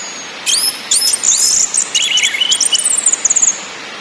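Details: Orange-headed thrush in ngakrak, ngeplong and nyiul singing style, played to lure caged birds into song: very high whistled slurs, descending twittery runs and a closing series of rapid clicking trills.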